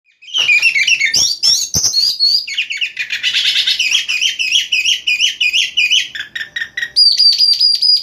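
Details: Oriental magpie-robin (kacer) singing at night, a loud varied stream of whistled and chattering phrases, fast repeated notes and a sustained high whistle near the end, with a few sharp clicks early on.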